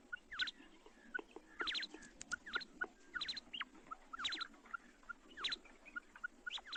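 A female common quail gives quick clusters of sharp, high chirping notes about once a second, over a faint steady hiss.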